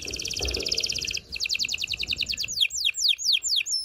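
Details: Canary singing for mating, said to stimulate the male and prepare the female: a fast high trill, a slightly slower rattling run, then a string of sharp downward-swept notes.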